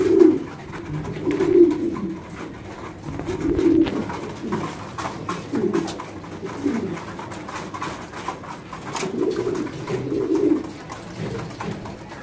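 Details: Several fancy pigeons breeding in cages on an Indian pigeon farm give repeated deep, rolling coos in bursts every second or two, the voices overlapping in a small room, with light rustling and tapping between phrases.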